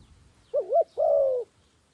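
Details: One coo phrase from a decoy dove luring wild doves: a quick rising-and-falling double note, a brief break, then a sustained smooth coo lasting about half a second.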